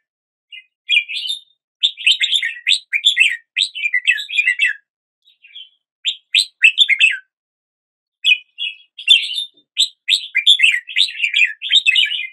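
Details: Red-whiskered bulbul morning song: extended bubbling phrases of rapid chirped notes, rising and falling, broken by short silences roughly every few seconds, no other sounds.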